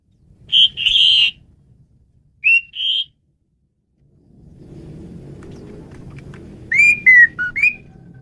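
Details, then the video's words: Asian pied starling (jalak suren) song for training songbirds: loud steady whistles, a pair of short rising notes, then over a low background rumble a sequence of slurred falling and rising whistles. "Ocehan Burung Jalak Suren"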